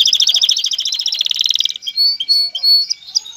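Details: Male canary song aimed at readying a female for mating and nest building: a rapid rattling trill of repeated high notes, then sustained whistled tones and short warbles.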